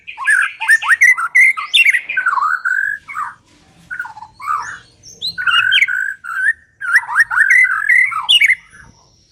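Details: A lure recording of a white-rumped shama meant to prompt birds to sing: fast, jumbled phrases of whistles, chatter and sharp squeaky notes in two long bursts separated by a quieter gap, a clean recording with no background noise.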